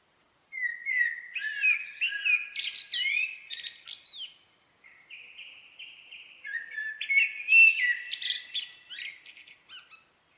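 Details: Common blackbird singing two long, continuous phrases of varied warbling whistles broken by higher squeaky twitters, with a brief pause between them and no other sounds.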